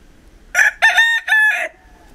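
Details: Crow of a Pavlovskaya breed rooster, recorded in winter in Barnaul, Siberian Altai, November 28, 2015: a loud, harsh, three-part cock-a-doodle-doo with brief gaps between parts, quiet before and after.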